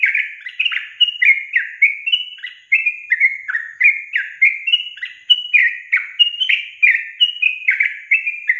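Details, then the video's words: Yellow-vented bulbul song played as a lure to make reluctant young caged birds start singing: continuous bubbly, liquid whistled notes, each a short slurred phrase, about two per second and alternating higher and lower, with no other sounds. "Pancingan Trucukan SUSAH BUNYI, BAKALAN dijamin dalam menit saja langsung NYAUT GACOR"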